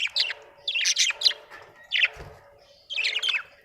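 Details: Happy budgerigar giving continuous warbling chirps, roughly one burst per second, harsh and buzzy with rapid up-and-down notes, over a faint steady background tone.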